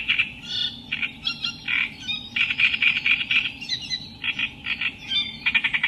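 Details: Reed warbler (kerak basi) delivering a continuous harsh, jumbled song of grating chirps and buzzy notes in uneven clusters, with brief pauses between phrases and a low steady hum underneath.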